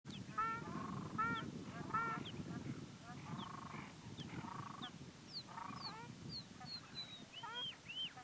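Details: In Mongolia, black terns give short, nasal, harsh calls in quick bursts of about one or two a second, with thin high chirps near the end over a steady low wind rumble. The species is a rare passage migrant.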